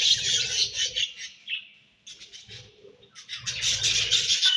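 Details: Budgerigars give bursts of rapid, high chirping chatter. The noise drops to a short thin whistle and near quiet midway, then resumes loudly, with soft low thumps and rustling underneath.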